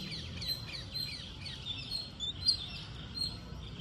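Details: Green parakeet while feeding: short, sharp high chirps given in quick bursts roughly twice a second, some sliding downward, over a steady low background rumble.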